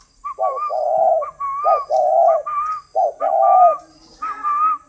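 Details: Spotted dove of the golden-necklace type from a breeder's stock, cooing in three low hoarse phrases about a second apart, each opening with a short note; a clear, wavering higher whistle repeats between and over the coos.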